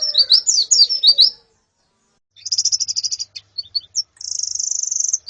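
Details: Zosterops calls from a female and a colony, used as therapy to train a male's song: rapid high chirping trills and sharp twittering notes in bursts with a short pause between.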